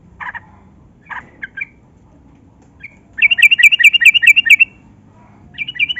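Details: Yellow-vented bulbul in lively gacor song, used as a lure to get lazy captive bulbuls singing: several short chirpy notes, then a fast bright trill of about a dozen repeated notes, with another trill starting at the end.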